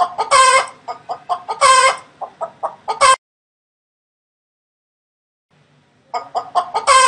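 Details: Domestic hen calling: a run of short, sharp clucks punctuated by loud, harsh, broad squawks over about three seconds, then near silence for three seconds before the clucking and squawking resume.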